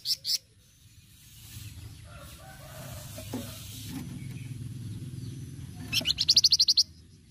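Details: Lively flamboyan cretetan song used as a lure: two sharp notes at the start, several seconds of low background hiss, then a quick run of about eight high, buzzy pulses.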